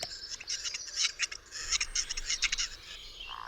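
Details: A male Western Capercaillie on a March evening, sitting in a tree in a secluded Polish forest in darkness, gives its quiet four-part display song: dry, hissing clicks and scrapes, irregular and bunched, against a hushed forest.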